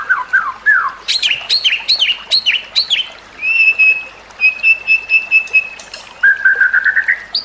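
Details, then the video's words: White-rumped shama, recorded for training other birds: three falling whistles, a run of downslurred notes, long steady flat whistles and a rising whistle at the end, over light hiss. "Kicauan Murai Batu yang Menggoda Telinga"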